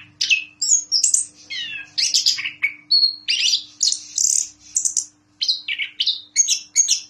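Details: Varied 'gacor ngeplong' song from a caged orange-headed thrush that took the president's cup in Jogja: falling and rising slurred whistles, mimic-like chirps and high ringing notes in fast sequence over a faint low steady hum.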